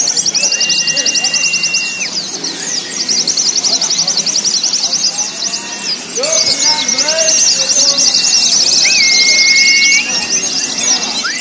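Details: White-eyes (pleci) in a simulated singing contest at the hanging poles, meant to train birds' nerve for a noisy competition: dense, fast high twittering trills from many birds, with long flat whistles and crowd murmur beneath.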